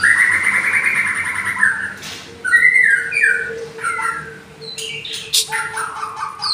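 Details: Caged White-rumped shama from Indonesia, F series, singing with a shama from the wild: long clear whistled notes, then varied fluty phrases with falling slurs and sharp high chips, over a steady low hum.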